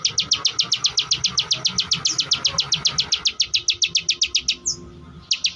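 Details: Ciwah, also called klik klik bird, a relative of the crystal prinia, singing in a fast, even series of sharp high clicking notes, nearly four per second, pausing briefly near the end before resuming.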